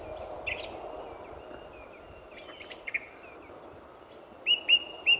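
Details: Song thrush singing at dawn before sunrise in February at RSPB Fowlmere, on a reserve full of singing thrushes: short high phrases and sharp repeated whistled notes separated by pauses, over steady low background noise.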